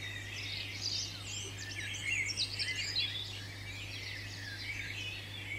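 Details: European robin, a British garden bird in the UK, delivering bright, high-pitched jumbled phrases mixing sweet whistles and rapid trills, the notes rising and falling, with a constant low hum beneath.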